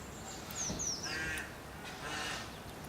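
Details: Rook (Corvus frugilegus) at a rookery with nests and young in late March gives two harsh, rasping caws about a second apart; a thin, high descending whistle from another bird sounds early on.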